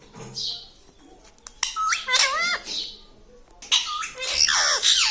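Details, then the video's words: Pet talking parrot producing short harmonic vocal phrases with bending, slurred pitch, separated by quiet pauses and a few faint background noises. "Papa Mummy Bolne Wala Tota - Talking Parrot - Me Tota Me Tota"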